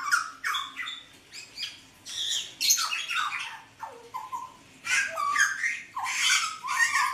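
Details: Hooded butcherbird singing in a small room: harsh, squawky bursts mixed with short whistled notes that drop in pitch, delivered in uneven clusters separated by brief pauses, with faint background hum.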